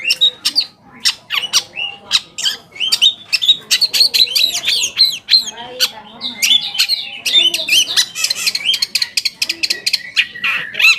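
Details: Long-tailed shrike song played as a lure for other shrikes: a sustained, energetic stream of sharp clicking chips, squeaks and scratchy warbles, dense and irregular throughout.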